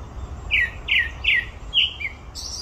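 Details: At Olympic Park, a grey-backed thrush repeats a loud, slurred descending whistle four times. A short high, squeaky note follows.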